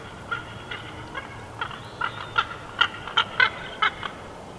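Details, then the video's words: Bald eagle chortle from the Big Bear Valley nest cam, June 2021. A quiet series of short, bright staccato notes, roughly two per second, rising in loudness toward the end over steady background hiss. "Big Bear Eagles🦅6 1/2 Hours Of Jackie Zen☮Silent Yet Deadly PS🚻Wingslap At Raven&Chortles🎶"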